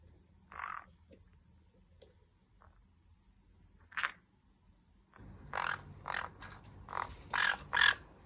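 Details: Conure growling, a sound used in many contexts such as curiosity, play, relaxation or worry; a few short harsh bursts near the start, then from about five seconds a run of rough, raspy grumbles repeated in quick succession.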